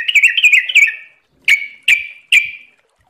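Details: Sooty-headed bulbul (trucukan) gives a rapid burbling phrase of linked notes, then three separate ringing, down-slurred whistles spaced about half a second apart.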